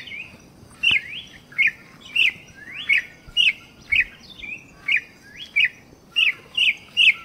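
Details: Campo troupial gives a long run of ringing, whistled notes, each sliding up then sharply down, evenly spaced about every half second, with a faint click and low background hiss.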